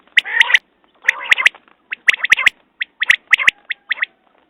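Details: Quail giving rapid, sharp notes grouped in twos and threes, mixed with raspy, buzzing bursts, repeated about once a second in a quiet setting.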